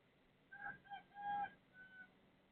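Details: Rooster next door crowing before dawn, 3:35 am, 18 December 2024, Thailand; a distant, tonal crow in several drawn-out harmonic segments over low background hiss.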